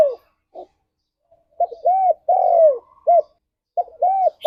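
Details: Spotted dove singing in the morning, meant to stir mating readiness: low soft coos, a short note, a rounded arching coo and a long descending coo, followed by another arched phrase. Quiet background.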